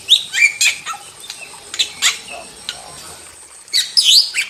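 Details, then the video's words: Wild starling (jalak) singing super gacor: scattered squawks and whistled notes, a quieter gap midway, then a burst of bright rising whistles near the end. "Masteran Jalak Super Gacor – Ultimate Wild Starling Sound Effect"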